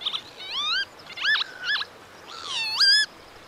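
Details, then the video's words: Song of the northern lapwing, a wader of farmland and wetlands: a series of nasal, slurred whistles, each dipping low before climbing steeply, given in three separate bursts. "Northern Lapwing Song"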